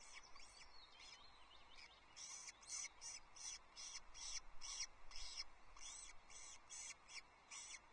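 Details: Ospreys at a nest at Loch Arkaig on 23 May 2024, picked up by a nest livestream camera while a chick wanders and its mother gathers it back. Thin, high piping calls repeat rapidly in short bursts over a steady low rumble.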